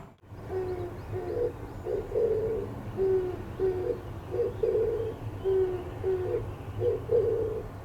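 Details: Oriental turtle dove cooing, its breast puffing out as it calls: low, hoarse cooing phrases of paired and grouped notes repeated steadily throughout, with faint background hum.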